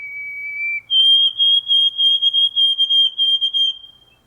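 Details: White-throated sparrow singing in spring after a long northern winter. A pure, steady whistle is followed by a higher whistled note repeated in quick triplets for about three seconds, then fading.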